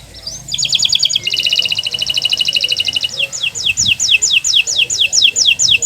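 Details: Canary master recording to stimulate silent canaries: a rising start into a rapid buzzy trill with a thin steady tone beneath, followed by a series of quick downslurred notes about five per second.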